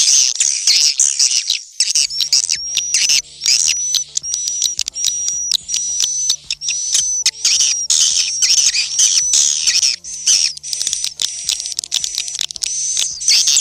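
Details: High swiftlet chatter from a recording used in Indonesia to attract swiftlets to nesting houses: rapid, shrill twittering throughout, with a steady thin whistled tone running through the middle section and faint low electronic tones beneath.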